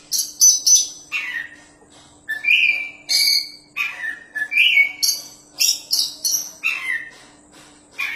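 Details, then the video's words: Oriental magpie-robin, a champion kacer, pours out a fast song of sharp clicks, buzzy bursts and clear whistled notes sliding downward, phrases tumbling one after another; steady faint hum behind. "BURUNG KACER JUARA GACORRR PAS BUAT MASTERAN"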